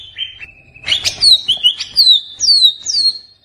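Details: Greater green leafbird song meant to stimulate pet birds: a flat whistle stepping down, then a series of loud clear downslurred whistles with chattering notes mixed in, fairly steady pace.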